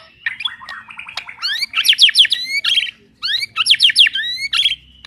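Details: White-rumped shama of the blorok type, singing a varied song of rapid rising whistles and sweeping slurred notes in bursts, with brief chattering phrases between them, strong and clear over a quiet background.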